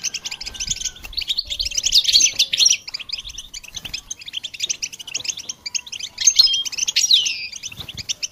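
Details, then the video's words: Goldfinch training song, a long run of tinkling twitters and buzzy warbled phrases, louder rasping bursts around the second and seventh seconds, with a faint steady tone underneath. "integrated stimulation suitable for all songbirds for goldfinches"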